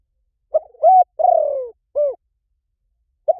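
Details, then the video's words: Spotted dove recording made for luring wild doves in any forest: a soft stutter, a rising coo, a long rough falling croo and a short arched final note, then the phrase begins again. No background noise. "เสียงนกเขาใหญ่ ต่อเข้าเร็วสุด ป่าไหนก็เข้า"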